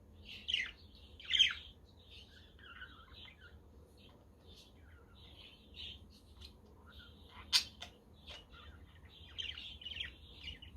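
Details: Chattering budgerigars kept as pets, recorded on a windy but sunny day: scattered high warbled chirps and squeaky trills with a few louder sharp notes, over a faint low hum.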